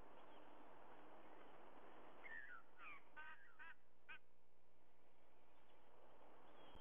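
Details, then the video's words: Early-morning nest camera recording from Sydney, 30 September 2022, 05:44: a white-bellied sea eagle gives a rapid run of about five honking, goose-like notes, faint against a broad low rumble. "Sydney White-Bellied Sea-Eagle"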